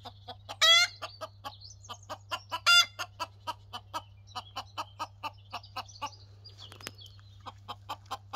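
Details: A Pekin bantam rooster gives a steady run of short, dry clucks, several per second, broken by two brief, loud, shrill squawks, over a faint low hum.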